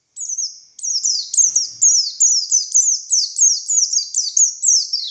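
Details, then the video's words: Buxtoni white-eye delivering continuous 'tembakan' shots: a steady series of high, sharp chirps, each sliding down in pitch, repeated roughly every half second without a break, in clean quiet surroundings. "Burung Pleci Buxtoni Gacor Konslet Full Tembakan Ngalas Ngotot Fighter"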